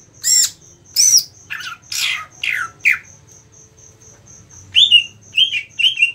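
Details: Cucak ijo (greater green leafbird) kept in a cage under a songbird contest setting. It sings sharp, varied notes: harsh downward-sweeping calls, then a pause with only a faint rhythmic high ticking, then short rising-falling whistles.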